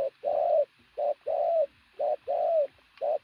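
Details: A wild-caught pigeon coos very loudly in a steady rhythm, short low notes alternating with longer rolling coos, about one a second; nothing else is heard.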